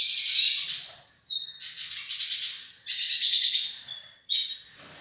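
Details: A Nordeste hooded siskin pair sings in phrases of fast high twittering and buzzy chatter, broken by short gaps, with brief thin whistled notes between bursts.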